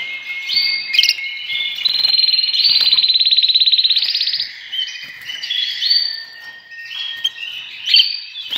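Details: Canaries singing a loud, high, continuous song of rapid trills and rolling buzzy tours, switching between pitches every second or two, with sharp chirps at the ends and a steady whistled tone underneath.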